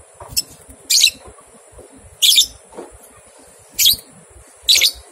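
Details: Lovebird ngekek on a training recording for young birds two months old: four well-spaced, grating chatter bursts over about five seconds, separated by quiet stretches with low background hiss.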